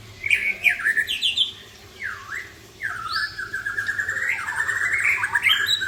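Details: Drooping-tailed Aceh white-rumped shama pours out an elaborate song: rapid chirps, swooping down-up whistles, then a long trilled, bubbling run of bright notes, all over a faint steady hum.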